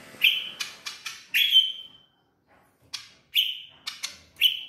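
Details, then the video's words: Bar-winged prinia, a tame bird from Koya singing actively in Kotaraja, Jayapura, gives a rapid series of piercing chips, each ending in a brief ringing whistle, grouped in runs of four, a short pause, then four more. "burung ciblek Koya gacor dan jinak"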